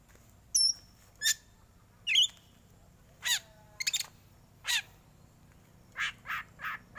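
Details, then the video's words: Competition-style 'batuk' song of a black Oriental magpie-robin. Varied single notes include a thin high whistle, twisting warbled phrases and a descending slurred whistle, followed by three coarse, harsh rasps near the end. "kacer hitam BATUK biasa juara di gantangan"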